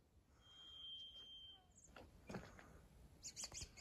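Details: Birds singing in trees outdoors: one long, thin, steady whistled note is held for about a second, then a pause, then a quick run of short, sharp chirps near the end, with soft background noise.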